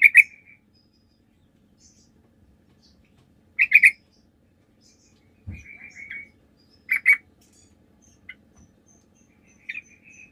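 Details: Sooty-headed bulbul lure song in chatty 'gacor' style, used so other bulbuls answer: loud double chirps separated by pauses of several seconds, with softer trailing warbles between them and a low thump near the middle.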